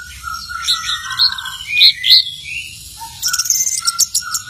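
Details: Varied song of an orange-headed thrush, sweet slurred whistles and loud sharp chirps tumbling together, ending in a quick run of high twittering notes.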